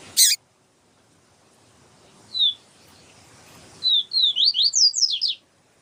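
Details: A double-collared seedeater, with a female calling to excite the male, gives one lone high slurred note, then after a pause a quick run of about eight rising whistled notes; a sharp click opens the recording.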